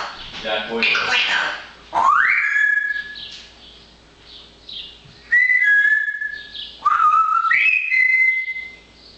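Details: A talkative pet parrot chatters away in nice weather. Raspy chatter opens, followed by a series of rising, then level whistles, several sliding up sharply before holding steady.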